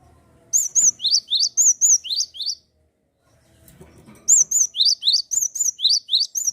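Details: Loud, lively Java sparrow song to rouse other birds into singing: two long phrases of rapid high whistles, arched notes alternating with rising sweeps, with a near-silent gap between them.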